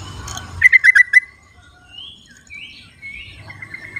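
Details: A wild yellow-vented bulbul, recorded outdoors as a lure to get silent birds singing. It gives a short burst of five quick, bright notes, followed by thin rising whistles and a level tone.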